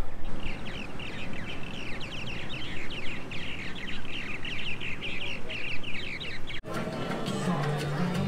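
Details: Purple martins at their nests by the entrance gate of Disney's Animal Kingdom chatter in a steady stream of quick, gurgling chirps for about six seconds over a low crowd murmur, then it cuts abruptly to music.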